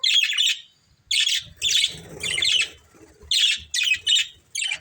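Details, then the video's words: Breeding pair of budgies calling in short bright bursts of scratchy high chirps, each under a second, with quieter low rustling in the gaps. "Beautiful Budgies Chirping Sounds"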